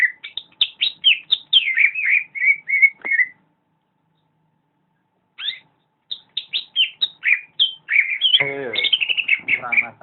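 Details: Greater green leafbird in full gacor song: quick chains of falling whistles and chirps, a silence of about two seconds, then a renewed burst with a coarse buzzy section mixed into the rapid notes.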